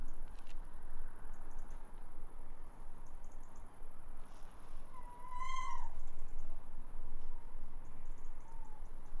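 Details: Tawny owl on a roof giving a single short call with a rising then falling tone and strong overtones midway through, otherwise steady low hiss and hum.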